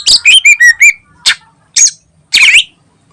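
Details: Greater green leafbird singing a 'gacor ngentrok' lure phrase: five rapid, bright whistled notes dipping and rising, followed by three separate harsh, scratchy bursts.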